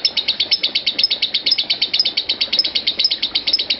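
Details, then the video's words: High-pitched lovebird ngekek chatter, about eight sharp chirps a second in an even, relentless run, from a recording meant as a master to lengthen a lovebird's ngekek. "Suara Lovebird Konslet Parah"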